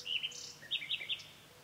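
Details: A Common Nightingale sings in a walnut tree in Provence in spring, on a sunny day after a storm: a quick run of rich, high whistled and chirping notes, with several rapid phrases in under two seconds against faint background hiss.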